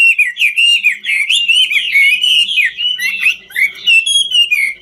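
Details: Dancing Chinese hwamei of the ngũ trường type, singing a continuous, loud warble of liquid whistled slurs, phrases overlapping and wavering with barely a break throughout.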